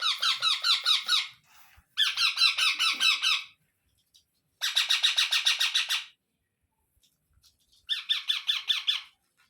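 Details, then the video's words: Indian ringneck parrot young, fed one by one by an adult, give four bursts of harsh, quickly pulsed chatter, each over a second long, separated by silence. "Ringnaeck Parrot Natural Sounds | Baby Parrot Sounds"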